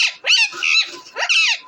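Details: Harsh, rasping squawks from a deshi parrot, recorded April 28, 2024: two long grating calls, the second rising sharply, separated by a brief gap.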